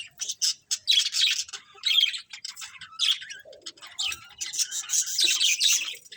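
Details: Colourful budgerigars chirping as a colony: steady, overlapping high chattering and warbled chirps in repeated bursts throughout.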